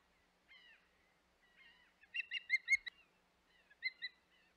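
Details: Osprey calling at the Hog Island nest, 25 May 2021: soft downslurred whistles, then a burst of five strong chirps, a sharp click, and two more chirps near the end.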